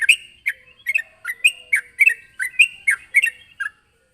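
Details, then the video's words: Sooty-headed bulbul calling a rival, giving loud rapid chirps in an irregular stream, each note dropping in pitch, stopping abruptly before the end. "suara burung trucukan gacor memanggil lawan"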